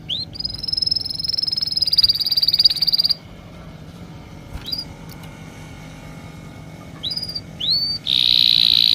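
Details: Birds chirping: a high, rapid trill for about three seconds, a long quiet stretch with a few isolated upswept chirps, then another dense trill at the end.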